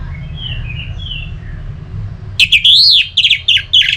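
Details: Orange-headed thrush singing, a recording used to rouse other birds to sing. Faint distant whistles open, then a sudden loud run of rich, wavering whistled notes and quick slurred phrases. A constant low rumble runs underneath.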